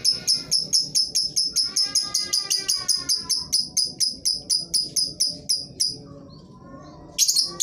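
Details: Lovebird calls used to prompt reluctant lovebirds of any type to sing: a long fast series of shrill, clipped, ticking notes at a steady pace, a brief pause, then a harsh burst.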